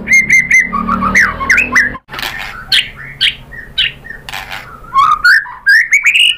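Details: Lure recording of a white-rumped shama singing to provoke a rival: quick whistled notes, slurred warbles and rising sweeps in varied bursts, broken by short broadband knocks, over a steady low hum.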